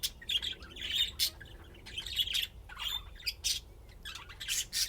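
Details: Budgerigars playing and chirping, Austin, Texas: dense warbling chatter with rasping bursts and sharp chirps, loud peaks recurring roughly every half second.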